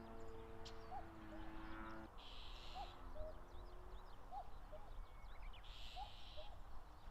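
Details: Common cuckoo, wild, busy with territorial fights at the foot of Mount Fuji, Japan, late May, recorded with a cinema camera: a steady hum fades, then clear descending cuck-oo pairs repeat about every 1.5 seconds, with small birds twittering.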